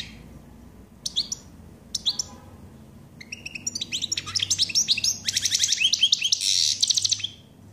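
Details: Common chaffinch singing: a few separate high notes, then a fast run of repeated sharp notes that speeds up and ends in a dense, buzzy flourish. The song is loud and clear over a quiet background.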